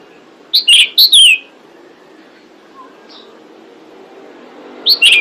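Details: Calling female pied bushchat luring males: a quick group of three sharp, high chirps, then a long near-silent pause, ending with another short pair of high chirps.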